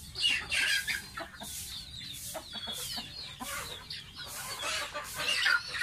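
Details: A young domestic goose kept as a pet peeps rapidly while bathing, giving high, wavering chirps in quick bunches amid loud water splashes and sloshing.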